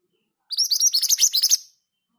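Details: Scarlet minivet, called mantenan gunung, singing its rolling 'ngerol' style at a steady speed, a bird said to sing readily even among other birds: about ten quick, high, upslurred whistles run together in just over a second.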